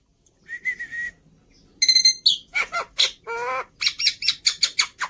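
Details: Black-winged starling song meant to lure and tutor birds, with varied imitable phrases: opening with steady whistled notes, then harsh squawks, a nasal rattle and a fast string of sharp scratchy calls.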